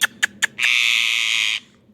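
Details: Ringneck parrot: three short clicks followed by a single sustained, harsh, buzzing screech lasting about a second, then quiet.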